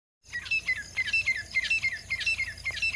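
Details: Female grey francolin calling: rapid series of short, sharp, high chirps with descending tails, repeated several times per second in a steady rhythmic burst, slight background hiss.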